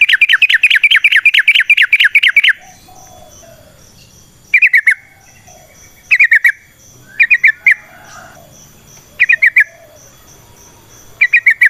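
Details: Wild yellow-vented bulbul in long rolling song, used as a lure for other bulbuls: a rapid steady run of chirps for over two seconds, followed by short clusters of four notes spaced between quiet pauses, over faint high hissing.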